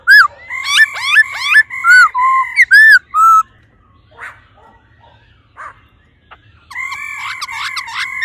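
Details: ["A female laughingthrush calls 'ro ro' to excite a male. Rapid looping whistles and flat, harmonic notes open the clip, then scattered soft calls follow a quiet gap, and a dense burst of overlapping notes returns at the end."]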